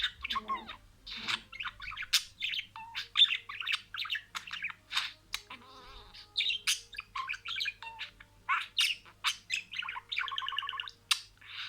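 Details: Budgerigar speaking words in sequence, delivered as a continuous rapid warble of harsh, clipped syllables and squeaks, with a short nasal rattling phrase near the end; no other sounds stand out.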